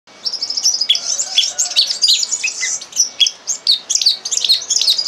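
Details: Red crossbill (Loxia curvirostra) song, used as a teaching recording: a dense, continuous run of high twittering chips, buzzy notes and quick warbles, varied in pitch and tumbling on for several seconds.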